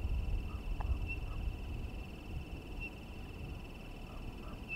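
Townsend's solitaire giving single, high, pure whistled notes, evenly spaced about every two seconds, over a steady low rumble.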